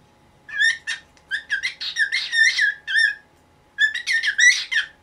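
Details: Morning calling by a nineteen-year-old caged cockatiel wanting the cloth removed from its cage: fast strings of whistled, chirping notes with rising and falling inflection, a brief pause, then another excited run.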